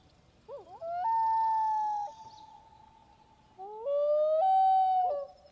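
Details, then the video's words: Common Loons on a lake in Maine give two long, mournful wails, each sustained and breaking upward with a waver. Wails are long-distance contact calls between loons separated by up to half a mile while foraging, especially at night. "The wail is just long distance communication."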